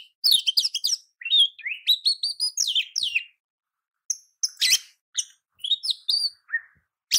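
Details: Oriental magpie-robin song used to train other magpie-robins: an opening rush of rasping, chattering notes, rising whistled slurs, a brief silence, then scattered sharp whistles and one low fluting note.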